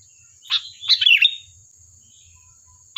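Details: Sooty-headed bulbul singing briskly, a lure recording meant to make other birds reply: one bubbly, chattering phrase of quick warbled notes lasting under a second, then quiet under a faint steady high whine.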